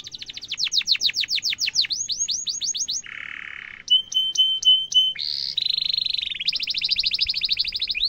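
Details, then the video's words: Canary song used as a tutor for young birds to learn and copy, with a long, lively run of varied tours: fast high swept notes, a buzzy harsh section, clipped sharp notes and rapid rolling trills. "Kenari gacor panjang cuit cuit emosi pancingan kenari paud belajar bunyi suara gampang di tiru"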